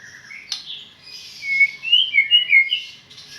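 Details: White-rumped shama, Medan, giving a sharp click followed by a string of bright, high whistled notes that slide up and down in quick succession.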